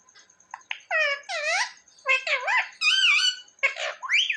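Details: Talking pet parrot imitating human words such as "mummy" and "papa": a run of wavering, voice-like syllables that bend up and down in pitch, ending in a rising squeaky note.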